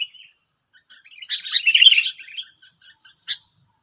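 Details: Sooty-headed bulbuls, wild birds reacting to a decoy, give one dense, bubbly chattering phrase lasting under a second, then a single short chirp, against a continuous shrill background hiss.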